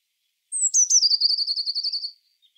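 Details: A Eurasian blue tit sings one phrase, a high descending introductory whistle and two clipped notes leading into a quick, regular trill that slowly drops in pitch and trails off.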